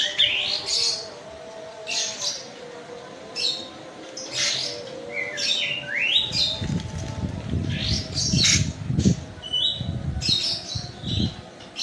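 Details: White-eye, known locally as kapas tembak, from Medan, Indonesia, singing energetically: scattered high chirps and sharp falling whistles repeated throughout, with a low rumbling noise building in the background during the second half.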